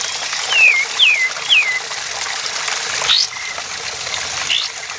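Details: Male sooty-headed bulbul (Pycnonotus aurigaster) singing three quick, clear downslurred whistles about half a second apart, then two fainter notes, over a steady rushing hiss like running water.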